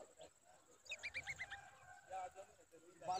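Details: Babbler mother defending her chick in danger: a quick run of about six clipped, rattling notes, then scattered lower squeaks, with a steady high whine in the background.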